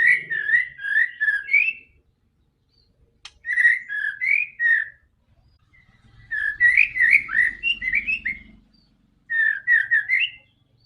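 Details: White-rumped shama song for coaxing a quiet bird to sing: four bursts of rapid bubbling whistled phrases with pauses between, a single sharp click, and a faint low hum under the third burst.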